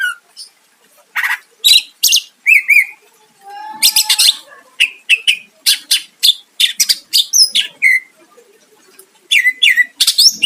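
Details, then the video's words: Greater green leafbird in full, lively song used to lure a rival: fast sequence of sharp, explosive notes, short slurred whistles and harsh chips, delivered in tight bursts with brief pauses. "Cucak ijo gacor mancing lawan dijamin Nyahut"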